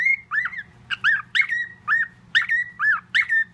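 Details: Parrot kept as a pet whistling a mimicked tune; a steady held whistle opens, followed by a brisk run of arched, harmonic notes at about one per half second, steady low background hum.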